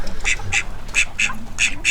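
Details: Male call duck in a domestic flock that fell ill in September 2021; his leg is healing. A quick series of six loud, nasal, high calls, about three per second. Other ducks, chickens and pheasants share the flock.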